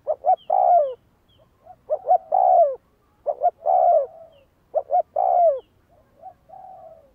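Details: A spotted dove being trained as a decoy coos steadily, giving four full phrases about one and a half seconds apart. Each is two short notes and a drawn-out falling coo. Softer coos, possibly from a more distant dove, fill the gaps.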